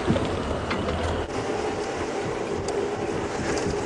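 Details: Steady boat engine drone over wind and water wash, with no animal calls.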